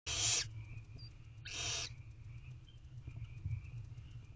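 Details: Three hungry Barn owl owlets begging while their mother feeds them in a nest box at night, 10:03 pm, 4/9/23. Two harsh, hissing screeches, each about half a second long and a second apart, over a steady low hum.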